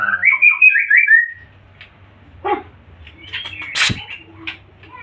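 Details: White-rumped shama in full song: a rich run of rapid whistled, slightly buzzy notes over the first second and a half, then quieter scattered notes, a loud broadband burst and a steady low hum.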